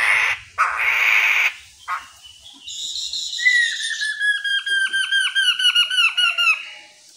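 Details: Lure song of a chattering (gacor) Chestnut-capped laughingthrush, used to draw other birds to reply: a rough hiss and a buzzy phrase, then about twelve ringing, whistled notes, each sliding downward, repeated quickly and evenly.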